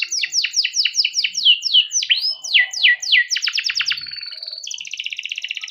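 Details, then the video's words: Long-singing caged male canary used as a lure to teach juvenile canaries, delivering loud repeated downslurred whistles at a quick pace, then a fast trill run and a sustained high buzzy roll. "burung kenari gacor panjang efektif buat pancingan kenari paud || canary singing || kenari gacor"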